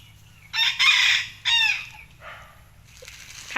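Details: A Thai bantam rooster crows in the evening: a high, shrill crow in two strained bursts, the second shorter, followed by soft clucking and faint background noise.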